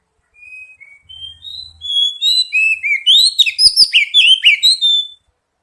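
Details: Oriental magpie-robin song used as a lure to prompt other birds to sing: clear whistled notes opening softly, then a loud, rapid run of sweet rising and falling whistles and trills, with two brief clicks midway.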